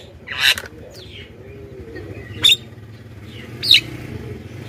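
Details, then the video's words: Black-winged myna calls for luring wild birds: three harsh, rasping bursts spaced about a second apart over a low droning background hum. "suara JALAK KEBO pikat"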